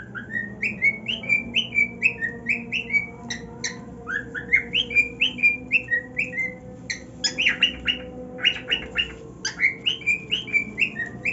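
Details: Domestic male cockatiel singing on his new nest: steady series of short whistled notes, about two per second, each bending up or down, broken midway by a cluster of raspy chirps, then whistling resumes; quiet music behind.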